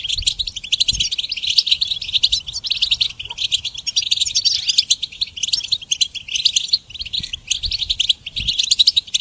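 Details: Dense goldfinch song used in songbird training, a steady stream of fast, high, twittering notes mixed with buzzy and liquid trills that barely pause throughout.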